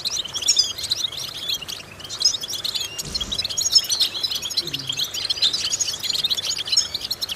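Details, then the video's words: European goldfinch song used as a vocal exercise to stimulate goldfinches: dense, high twittering of quick chirps and trills, steady throughout, with a faint low thump near the middle. "important vocal exercises necessary to stimulate goldfinches"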